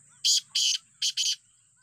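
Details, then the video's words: Black francolin giving its grating call, two loud rasping bursts followed after a brief gap by a closely paired harsh double note, with a constant thin high background tone. "Kala teeter beautiful voice"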